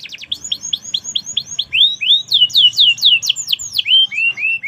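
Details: Canary (kenari) singing in the "merlok" style, described as gacor, actively and steadily in song: a fast series of bright, downslurred whistled notes, then louder sweeping phrases and a falling, slurred ending.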